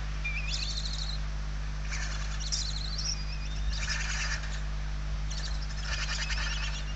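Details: Indoor nest of hungry barn owl chicks in Spain, 28 November 2023: scattered rasping hiss bursts mixed with thin wavering squeaks, moderately quiet, over a constant low electrical hum.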